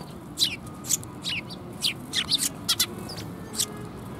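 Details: Several sparrows coming to be fed at a Tenmangu shrine on 25 January 2021, giving short, sharp, high chirps in irregular bursts, about two a second, over a low background rumble.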